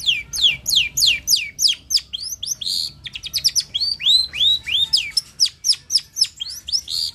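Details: Long-tailed shrike, known as cendet or toed, singing hard: a rapid string of sharply downslurred and upslurred whistled notes, about three per second, with a brief stutter in the middle.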